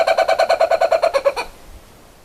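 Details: Laughing kookaburra uttering a short run of about a dozen quick, evenly spaced hooting notes that ends abruptly, followed by quiet.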